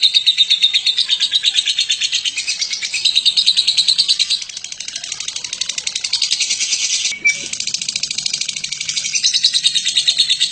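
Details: Lovebird of the Batman type giving long ngekek, recorded as a master for training other birds: a continuous rapid shrill chatter of pulses, about three per second, with a brief break near the middle before resuming.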